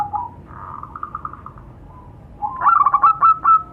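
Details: Local zebra doves answering one another: a soft, faint rippling series of coos first, then a louder, brighter burst of quick trilled cooing notes near the end, against a quiet rural backdrop.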